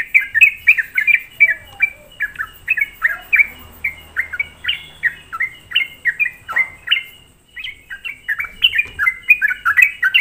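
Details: Sooty-headed bulbul song played as a lure to agitate other bulbuls: loud, fast bursts of short descending whistled notes, a brief pause near the middle, then the rapid run continues.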